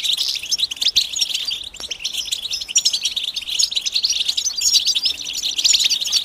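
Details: European goldfinch mating calls meant to make silent males sing: steady, busy high twittering of rapid chirps and sparkling notes, loudest at the start and again in the final seconds.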